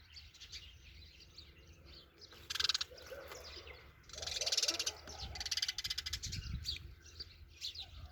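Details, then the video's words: Sparrow chatter: a brief buzzy burst, then a longer stretch of harsh pulsed notes rising and fading, set against a low steady hum. "Funny Sparrow"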